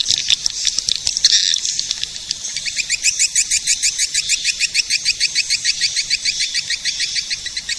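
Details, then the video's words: Edible-nest swiftlet lure call for attracting swiftlets: a brief mixed twitter, then a long steady train of crisp high pulsed chirps, about three per second, each with a bright upper note. "Suara pemanggil burung walet"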